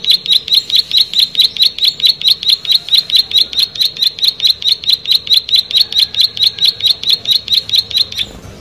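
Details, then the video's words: Vigorous song of a plain prinia, a long unbroken run of clipped, metallic, high notes delivered at an even rapid pace of roughly four and a half per second, ending abruptly; background otherwise quiet. "Prenjak Sawah Gacor"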